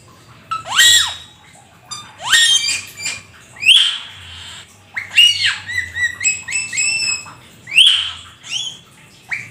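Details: Jalak keling, the black-winged starling, giving gacor full isian song: loud harsh squawks that drop sharply in pitch, repeated roughly every one to two seconds, mixed with brief whistles.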